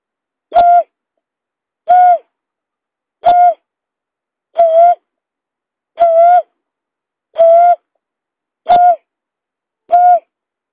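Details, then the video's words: Buttonquail lure sound: eight even, mid-pitched hooting notes spaced about 1.3 seconds apart, each short and level with a slight drop at the end, over a silent background. "suara pikat berkik"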